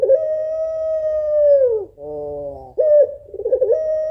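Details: Female African collared dove of the puter pelung type calling to the male: a long, steady drawn-out coo that sags at its end, a short nasal buzzy note, then a wavering, pulsing coo resuming.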